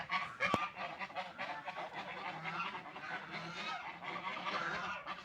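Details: Ducks eating and drinking, a softer flock chorus of nasal, buzzy quacking notes running continuously, with one sharp click early on.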